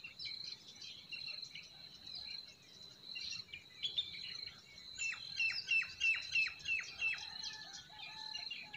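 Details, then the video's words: Spring forest birdsong with scattered thin chirps over a constant high hum, then a clear run of about six sharp descending whistled notes, evenly spaced, followed by a faint low whistle. "Relaxing Singing of Forest Birds"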